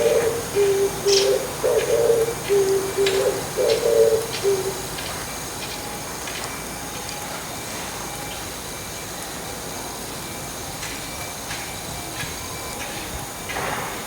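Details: Oriental turtle dove on an antenna in the morning, delivering a few seconds of low, throaty cooing in short grouped notes before falling silent, leaving faint ticking and soft background hiss.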